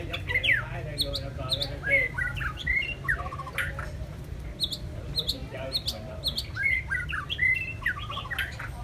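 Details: ['White-rumped shama song of varied whistled phrases, short twitters and sharp clicking notes in irregular bursts, with some lower murmuring sounds in the background.']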